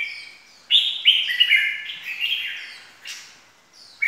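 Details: Red-whiskered bulbul calls used as a lure for trapping: a run of bright, slurred whistled phrases around 2–4k, rising and falling, loudest early then fading, with a short sharp note at the end; otherwise quiet background.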